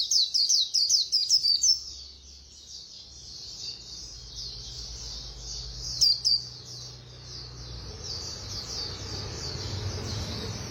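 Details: White-eye in fast 'líu' song: a brief run of crisp, rapid high notes opens, followed by long quiet high twittering over a low steady hum.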